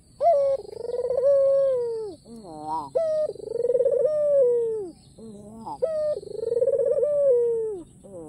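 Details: Ringneck dove, white with black collar, calling to invite rivals to respond; three vibrating coos that sag in pitch, each punctuated by a quick climbing trill, with a faint high hum behind.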